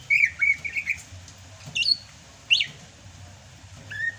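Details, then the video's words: Greater green leafbird from Sumatra in the rainy season gives a few warbled whistles, then isolated sharp, slurred notes with quiet gaps between them. "MUSIM HUJAN CUCAK HIJAU SUMATRA MASIH BISA GACOR"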